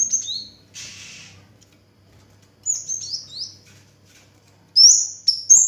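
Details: Orange-headed thrush (kemade, cigen) in constant song, giving clear, very high whistles that slur downward, clustered in quick runs of two to four notes separated by pauses. A soft hiss is also heard.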